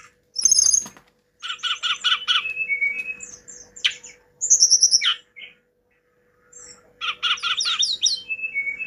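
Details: Hill blue flycatcher singing energetically: a varied run of high whistled notes, sharp chirps and short buzzy trilled bursts separated by brief pauses, with a faint steady hum underneath.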